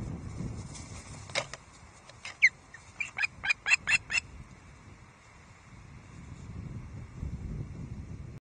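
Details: Wild osprey chick at a Loch Arkaig nest on the morning of 27 July 2023, arriving with a loud squeak and landing on the high perch. About seven sharp, high squeaks come roughly two per second over a low rumble of wind.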